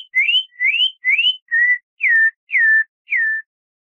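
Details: A campo troupial, a popular Brazilian songbird, sings its short classic song: seven clear whistled notes, about two per second. The first three slur upward and the last four drop and level off. No other sounds.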